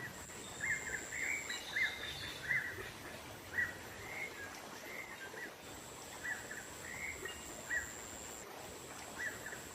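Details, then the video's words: Black-naped monarch calling in the wild, a lure for attracting wild birds: bright chirps in loose bursts with pauses, over a steady high-pitched insect whine and quiet nature ambience. "Suara pikat burung keci dialam liar"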